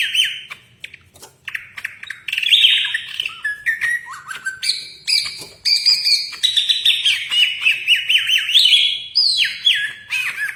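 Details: Long, varied song of a caged greater green leafbird likened to a magpie robin: a fast stream of whistles, trills and chattering notes that step between pitches, with brief gaps.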